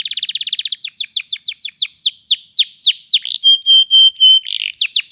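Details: Canary song for teaching young canaries: begins with a fast rattling trill, shifts to repeated falling whistled sweeps, then held pure whistled notes and a short buzzy phrase before more sweeps.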